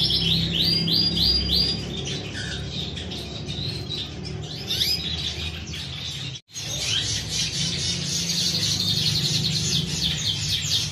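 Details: Canary song with fast repeated trills and rapid chirped phrases, a short break midway, over steady low hum.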